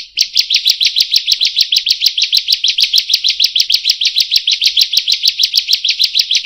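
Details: Continuous high-pitched rattle from a bar-winged prinia (prenjak/ciblek) in long rolling song, rapid chirps repeated at an even, tireless pace without a break.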